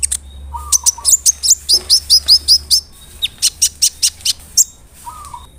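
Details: To stir up other sunbirds, a large, lively brown-throated sunbird sings a fast run of about a dozen evenly spaced, high, bright chirps, then a looser string of sharp notes.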